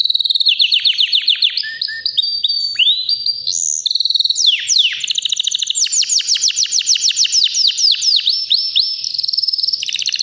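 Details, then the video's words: A healthy white canary of about three years delivers nonstop, loud song: rapid rattling trills shift among several tours, with swooping whistles and dense, steady chip series throughout. "BEAUTIFUL WHITE CANARY NON STOP POWERFUL SINGING"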